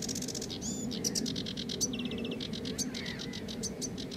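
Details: Song of a sedge warbler, a hurried run of dry, buzzy notes and rattling trills that switches abruptly between phrases, with a brief whistled slur midway, set against steady low-pitched background noise.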